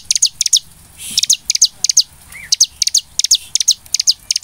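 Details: Bar-winged prinia song used as a lure to make birds sing: high, sharp notes delivered in quick pairs and triplets, repeated steadily, with one brief low whistle in between.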